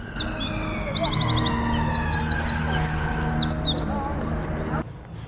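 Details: In a Brighton garden in sunshine, a Eurasian wren calls from within shrubbery, really quite loud: a rapid burst of high, ringing trills and chatters for about five seconds over a low hum of town traffic.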